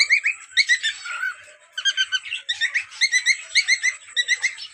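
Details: A cream cockatiel breeding pair gives bright, repeated whistled chirps in quick bursts, with short pauses between phrases.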